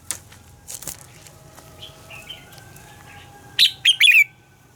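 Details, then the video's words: Red-whiskered bulbul singing its morning song in a double-note style said to be like a mature forest bird. Soft scattered chirps and a wing flutter lead into one loud, quick three-note warbled phrase near the end. "Luyện giọng cho chào mào hót sáng - Hót hay nhanh lửa, chào mào hót âm kép già rừng hay tuyệt!"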